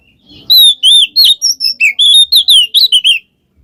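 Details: Oriental magpie-robin giving 'ngeplong ngekek' song, meant to stir a quiet bird into singing. After a faint rustle comes an unbroken flow of about a dozen loud, high, rising and falling whistled notes in under three seconds.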